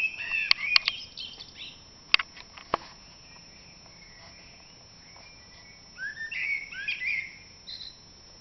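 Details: Common blackbird starting the dawn chorus in April: short whistled and warbled phrases with sharp clicks early on, a quiet gap, then a louder run of fluty, slurred notes near the end.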